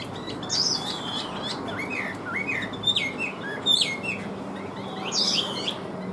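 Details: Caged Chinese hwamei delivering a moderately loud phrase of looping, swooping whistles and short chirps, with separated bursts of high notes across the recording.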